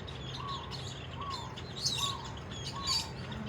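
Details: Java sparrows recorded in Hawaii: soft repeated mid-pitched notes about once a second mixed with sharp high chips, over a steady low hum and hiss; Java sparrow.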